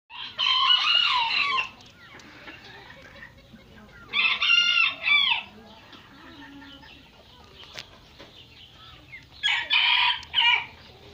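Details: Habado rooster crowing three times, each crow a loud, harmonic, slightly wavering call of about one second, with long quiet gaps between and faint low background noise.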